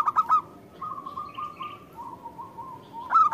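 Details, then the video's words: Local zebra dove in full song, recorded as bait for other doves to respond. Three punchy coos begin, a soft wavering purr follows, then another bright staccato burst closes. "Perkutut lokal gacor pancingan perkutut lokal langsung nyaut"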